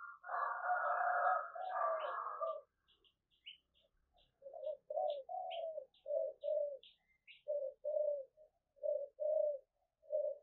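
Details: Spotted dove calls, played to spur newly caught doves to coo often: a dense burst of overlapping cooing, then a steady run of short, low, rolling coo notes. Faint high chirps sound above them.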